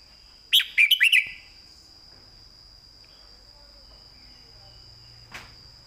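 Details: Red-whiskered bulbul kept in a cage, singing a clear southern-style master song used to teach birds: a single quick burst of bright, tumbling notes, then quiet with a constant faint high hum and one soft click.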